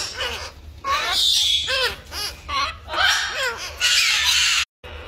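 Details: African grey parrot chick being fed by its mother gives shrill, squealing calls that rise and fall in quick bursts, with hissy, rasping noise between them.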